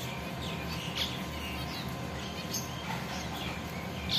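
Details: Caged zebra finches building their nests give short, high, nasal calls scattered across a few seconds over a steady low background hum.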